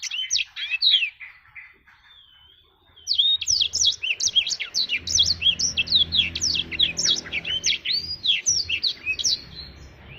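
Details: Black-throated canary in vigorous song: a brief whistled burst, a soft pause, then a long run of rapid, steep, high chirping notes.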